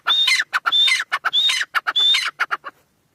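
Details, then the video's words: Irani teetar francolin calling a brisk string of harsh, chattering notes with high whistled accents. The series stops after about two and a half seconds, followed by silence. "Irani teetar full Masti Awaz"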